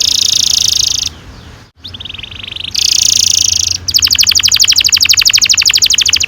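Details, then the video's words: Domestic canary singing a long rolling 'ngerol panjang' song, used as a lure to get young canaries singing. A fast buzzy high trill breaks off into a softer rapid rattle, then returns as a rapid pulsed roll of even beats. "Kenari gacor NGEROL PANJANG cocok untuk PANCINGAN KENARI PAUD bikin BURUNG KENARI GACOR PANJANG"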